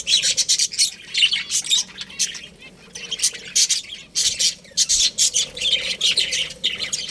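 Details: Many budgerigars in a colony give high, raspy chirps and squawky notes in quick pulses, the loud bursts coming in clusters with brief pauses between.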